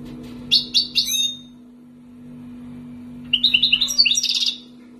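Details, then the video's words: European goldfinch of wild origin, raised two years in Algeria, giving three sharp high chirps, a pause, then a fast twittering run ending in a buzzy trill; a steady low hum runs throughout. "مقنين خلوي مربيه عامين برت .😘 تيباتباتي😘 سبات سباتي"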